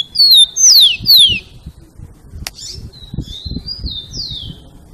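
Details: Rufous-collared sparrow song in the "Jesus meu Deus" style: three loud, steeply falling whistles. A click follows, then a softer repeat of gliding whistles, with low thumping noise underneath.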